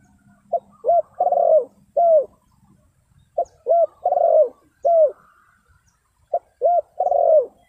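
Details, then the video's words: Spotted dove luring wild birds with three repeated phrases roughly every three seconds: a short soft note, a hollow coo, a long rolling purred coo and a closing falling coo, low and mellow, with a faint low hum early on. "Chim cu gáy chiêu kích mồi tập bổi nhanh nổi hiệu quả"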